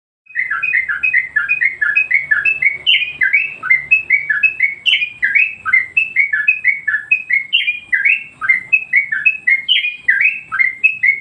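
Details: Yellow-vented Bulbul master song used to train and provoke other birds: a fast, continuous run of short, clear notes, each slurring downward, repeated two or three times a second for eleven seconds.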